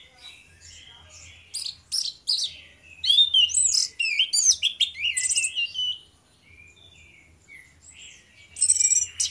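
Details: Two orange-headed thrushes in loud 'ngeplong' song used as a lure. Rapid cascades of whistles and sharp high chips build to a dense middle section, pause, then restart with a final burst, over a faint intermittent hum.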